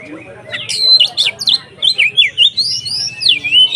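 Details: Oriental magpie-robin (kacer) singing in the 'konslet ngeplong' style, used as bait to provoke other kacer: a quiet start, then loud, rapid whistled and slurred notes sweeping up and down over a low steady hum.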